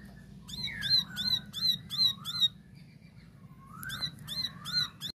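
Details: Plain prinia giving a lively 'tembakan' song: a fast series of about six sharp, clicking high notes, a pause, then four more. Softer lower slurred whistles run beneath the bursts.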